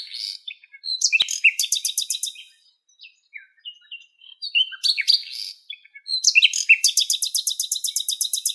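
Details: Western black-eared wheatear, a female with nest material in Greece, gives busy chattering phrases mixed with rapid rattling trills of repeated harsh notes, with short gaps between bursts and a sharp click early on.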